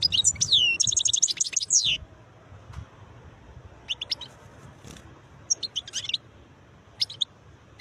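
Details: Song of a wild European goldfinch: two seconds of rapid, tinkling, high twitters run together, then sparser short chirp clusters spaced a second or so apart; faint low rumble underneath.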